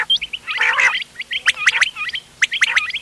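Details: Mixed quail sounds for hunting, 31 October 2025. A rough, gargling burst opens, followed by pairs of clipped, ringing whistled notes with scratchy edges in repeated groups.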